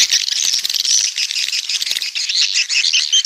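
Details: A massed twitter of coastal swiftlets from the south: high, rattling, chattering chirps blend into a steady shimmering wash of sound with no pauses.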